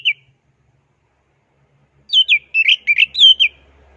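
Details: Champion orange-headed thrush singing plong and teler style for tutoring: a lone whistled note, a two-second pause, then a quick string of warbling, slurred whistles that waver up and down.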